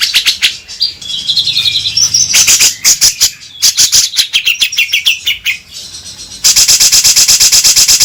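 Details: Grey-cheeked bulbul, used to prompt the bird into singing: bright chirping notes over dense rapid clicking, ending in a steady fast rattling series.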